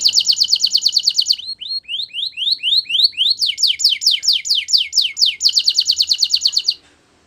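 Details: Belgian canary singing, played to train other canaries: a rapid high trill, then a series of rising slurred whistles, followed by quick downslurred notes and a return to the fast trill, all loud and clean.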